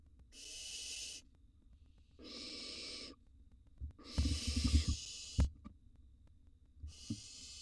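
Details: Nest-box barn owl chicks, wild birds, while prey is fed to them; four noisy hissing bursts, the third longest, mixed with thudding knocks and scrabbling sounds in the box.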